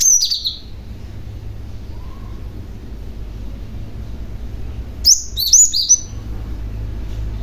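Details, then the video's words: {'caption': 'Lure calling by a young cinereous tit meant to make other tits reply: one brief whistled phrase at the start, a long quiet gap with low hum, then a short run of high slurred whistles.'} "BURUNG GLATIK PAUD GACOR , Si Pemancing Bunyi Glatik Lain Yang Handal"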